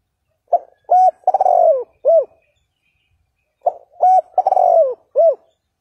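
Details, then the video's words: Spotted dove calling to provoke a rival bird. Two clean phrases, each of four or five low, rounded coos with a longer slurred note near the end, separated by a short silence. "Tiếng chim cu gáy kích bổi hiệu quả bài bản thúc gù"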